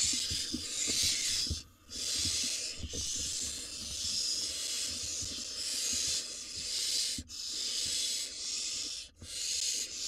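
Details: Barn owls at a nest where a nest-switching owl grabs prey: drawn-out rasping hisses lasting several seconds each, broken by brief breaths, with faint scratching sounds.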